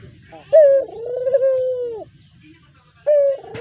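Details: Close kept brown Barbary dove calling as a lure: one long smooth coo with a quick higher lead-in, then the start of another after a short pause.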